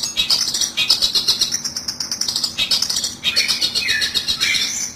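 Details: Lure recording for trapping long-tailed shrikes: busy high-pitched twittering with sharp chips and short whistled notes, one clear downslurred whistle near the end, steady throughout.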